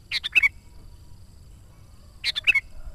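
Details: Lively sooty-headed bulbul song for luring wild bulbuls: a pair of brisk chirpy phrases, each three or four notes closing on a sharper whistle, separated by a short pause.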